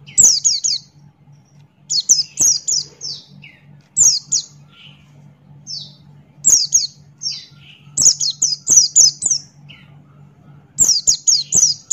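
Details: Buxton's white-eye in lively 'ngalas' song, beak open: clusters of thin, high, falling chirps in fast series every two seconds or so, with softer lower notes between bursts and a steady low hum behind.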